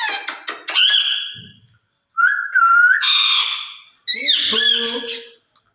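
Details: Caged rose-ringed parakeets, a pair talking to each other in Urdu or Hindi. Quick sharp clicks, then a clear whistled note bending upward, a ringing squawk, and a final harsh burst with lower voice-like tones.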